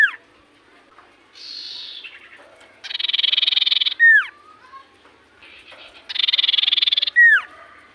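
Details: Common iora singing energetically: buzzy rattling trills, each followed by a sharp downward-swooping whistle, the pattern repeating twice with softer notes between.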